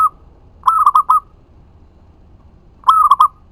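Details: Zebra dove, a local bird, cooing as a lure to make other doves reply: two phrases of soft, rolling coos, one of four quick notes and a shorter one after a pause, with a quiet low rumble behind.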